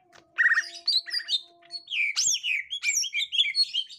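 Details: Green leafbird of the gotri type facing a young forest green leafbird: a few rattled buzzy notes, then a lively stream of high rising and falling whistles and squeaky chirps.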